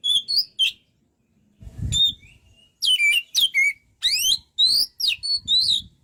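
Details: White-rumped shama giving strong whistled song with downslurs and a steep rising sweep, plus a brief low thump near the start.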